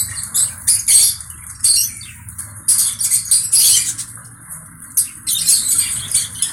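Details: Conure giving short, harsh, high-pitched bursts in irregular groups, some with a scratchy buzzing edge, separated by brief pauses; a faint low hum runs underneath.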